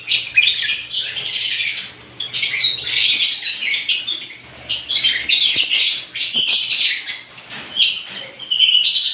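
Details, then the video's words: Mixed lovebirds of different kinds calling as a group, a dense, harsh, high-pitched chatter of squeaks and twittering that swells and fades in waves, with only short gaps, and a faint low hum behind. "ibat ibang klasing uri ng love birds sarap nilang pakinggan habang na humuhuni"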